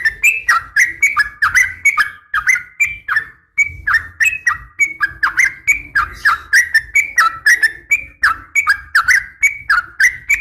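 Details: Female sooty-headed bulbul calling to males in the morning: a long run of short, bubbly, liquid notes, each dipping and rising, repeated several times a second with one brief pause, over a faint low hum.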